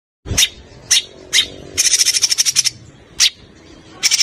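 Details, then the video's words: Songbird calls on a master recording for training competition birds: short sharp chirps sweeping high, spaced about half a second apart, with a brief fast trill in the middle; faint low background hum. "SUARA BURUNG MASTERAN BURUNG LOMBA"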